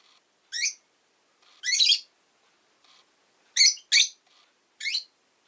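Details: Rosy-faced lovebird calling in sharp, raspy chirps, one long harsh squawk, then a quick pair of shrill notes and a final single chirp, with faint soft calls in the pauses.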